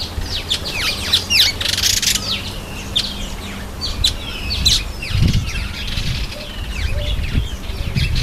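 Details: Cape sparrow (Passer melanurus) taking a bath, giving quick, bright chirps, several each second, with low splashing and wing flutters underneath.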